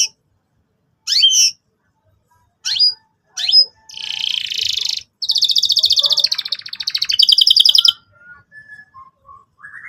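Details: Canary song used to prompt young canaries learning to sing: a few separated downslurred chirps, then long buzzy rapid trills at high pitch, switching tone midway, ending with soft faint notes.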